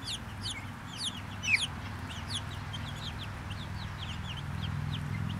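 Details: A small, happy group of Brahma chickens calling together: many short, high, downward-swept peeps overlap in a busy stream, with one louder squeak midway over a low steady hum.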